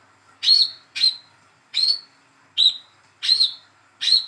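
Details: A young olive-backed sunbird, raised by hand, calls to coax a non-singing bird into voice: six quick, piercing high chirps, each a short bright note with a brief downward flick, repeated roughly every half to one second.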